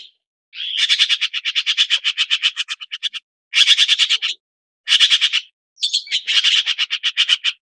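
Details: A red-billed blue magpie (Chinese blue magpie) chatters in a long rattle of about fifteen rapid, grating notes, then three shorter harsh bursts follow after brief gaps. No other sounds are clear.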